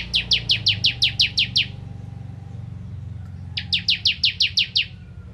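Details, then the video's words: Bar-winged prinia, called ciblek kristal, giving 'nembak ngentrok' song: a burst of nine sharp downslurred chips, about two seconds of gap filled by low background hum, then a second burst of eight. "Ciblek Kristal Gacor Nembak Ngentrok"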